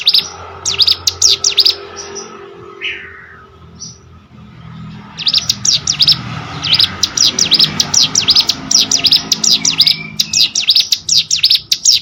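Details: Cigun, or hill prinia, singing as tutor audio for contest songbirds: a short burst of quick high chirps, a lull with soft faint notes, then a long run of rapid, piercing repeated V-shaped notes.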